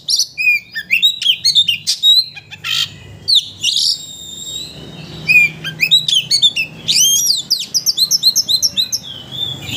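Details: White-rumped shama provoking another shama to bring out its full repertoire; energetic bursts of sharp whistles and chips, then rapid rhythmic trills of repeated notes and descending slurs.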